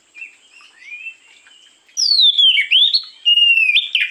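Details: Oriental magpie-robin singing in the morning, used as a lure: soft quiet warbling gives way to loud clear whistled phrases, a falling sweep followed by level and rising notes, repeated rapidly.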